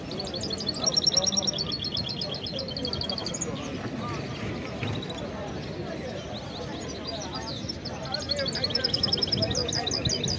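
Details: Goldfinch-canary hybrid (male goldfinch father, female canary mother) delivers two bursts of quick, high, rippling trilled notes, one near the start and one near the end, with a quieter pause between, over a continuous low noisy hum.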